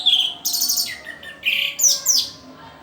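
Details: Young orange-headed thrush learning to sing, giving sharp high chirps and short rising and falling whistled notes in quick bursts about every half second, with brief pauses between phrases.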